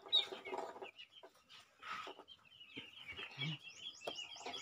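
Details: A pet crested myna, a talking bird, gives a jumble of harsh chatters, clucks and sharp clicks, ending in bright whistled notes over several seconds.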